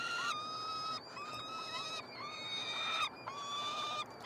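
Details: Three peregrine falcon chicks, hatched in late May, being fed in a nestbox at the University of Montreal, Quebec, Canada, on 21 June 2022. Long, steady, harmonic wailing cries, each held about a second, repeated with short gaps.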